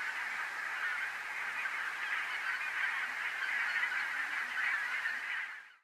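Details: A big flock of Cackling Geese (Branta h. hutchinsii) at Strijen, Netherlands, in February 2018, calling at once: a steady wall of high, yelping cackles that never pauses until the end.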